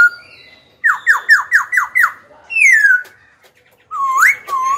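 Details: Caged young Black-throated laughingthrush singing to goad rival birds and train young birds' voices: six rapid downslurred whistles in a row, a long falling whistle, then a rising whistled phrase.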